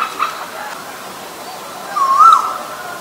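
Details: Asian koel, from a recording presenting male and female birds; one clear rising whistled note near the end, climbing smoothly, over a steady hum of background noise.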